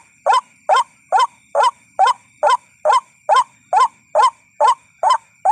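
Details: Lure recording of a White-breasted waterhen, known locally as ruak-ruak, used to attract waterhens: regular harsh croaking notes, about twelve in under six seconds, evenly spaced, over a steady thin high-pitched hum.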